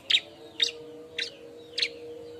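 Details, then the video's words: Bar-winged prinia looking for a mate: four sharp, high chirps spaced about half a second apart over a steady low hum. "suara burung ciblek ribut nyari kawan"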